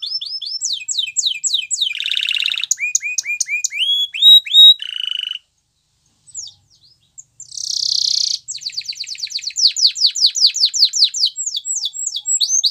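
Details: Canary song made of fast repeated downslurred notes, rising whistled syllables and buzzy rattling trills. There is a short silent gap in the middle, and a long series of rapid sweeping notes follows it.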